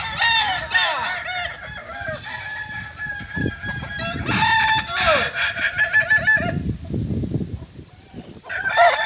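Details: A joint practice of Kokok Balenggek roosters, a native Solok chicken from West Sumatra. Overlapping crows with many stepped, wavering syllables repeat in several bouts, while murmuring and low background noise run beneath. Crowing eases near the end, then one short crow returns.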